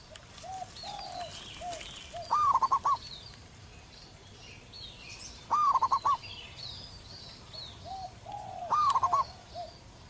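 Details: Wild local zebra dove singing: three loud rolling coo phrases about three seconds apart, each rising then pulsing, while softer lower dove coos and high bird chirps fill the gaps.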